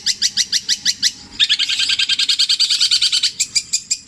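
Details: Long-tailed shrike from Java delivering imitated songs, tengkek buto, kuntilanak and greja in petir style: a string of spaced sharp notes, then a rapid rattling trill, then more separate chips.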